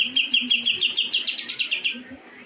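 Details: Kapas tembak (cream-vented bulbul), a competition songbird, gives a rapid string of bright, high chirps, roughly five per second, fading off after two seconds into quiet.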